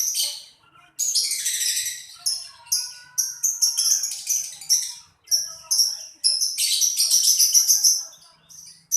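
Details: Lovebird song: dense bursts of shrill, high chirps and squeaky notes in fast runs separated by short pauses, with faint lower whistled tones running beneath the chatter.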